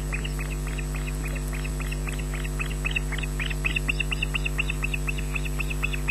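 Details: Youngest osprey chick begging for food at a Loch Garten nest camera, 14 June 2012 at 18:40, while its aggressive sibling stays under the parent. A steady stream of sharp, high squeals runs about four a second, with a constant low hum.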